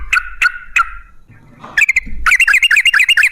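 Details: Sooty-headed bulbul, 'gacor' singing used as a lure for bulbuls: three harsh, falling chirps, a short pause, then a fast, jumbled, bubbly warble that grows denser and louder.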